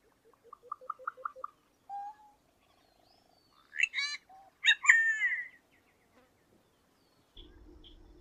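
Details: Solitary cacique: a quick series of about seven short rising notes, a brief nasal tone, then two loud twangy harmonic bursts, ending in low rumbling noise.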